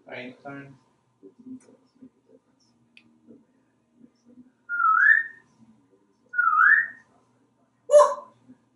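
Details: Talkative male African grey parrot, hatched in 1997 and kept at home in Texas, vocalizing in a bathroom: faint murmured sounds, then two clear rising whistled notes about two seconds apart and a sharp squeak at the end.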